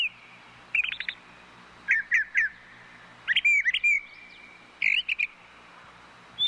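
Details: Song of brown thrushes, with quick clusters of chirps and squeaky trilled notes separated by short pauses, one phrase sliding into a longer whistle, and a constant low background hum.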